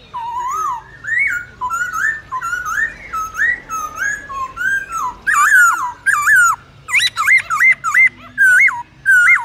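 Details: Long, varied wild-style song of a Black-throated laughingthrush for training young birds: a steady stream of rising and falling whistled phrases, growing louder and richer midway, ending in emphatic looping whistles at roughly half-second intervals.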